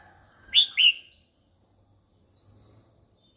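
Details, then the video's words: Female red-whiskered bulbul calling to males: two bright, rapidly falling whistles close together, followed after a pause by a faint, thin rising whistle. "Chào Mào Mái Kích Trống Căng Lửa"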